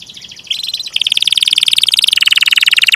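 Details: Canary in long rolling song, a dense buzzy trill that steps down in pitch midway and pulses rapidly throughout, quieter than the surrounding phrases.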